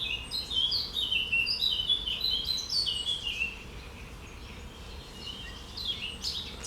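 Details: Birdsong recorded on 9 June 2020: a lively series of clear, whistled phrases stepping up and down in quick succession for about three seconds, then a quieter pause before a few fainter high notes, over soft outdoor background noise.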